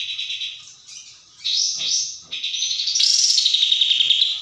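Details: Sooty-headed bulbul, 'tembak' song style. Separate whistled and buzzy notes come first, then a steady fast trill that rises slightly and carries on to the end.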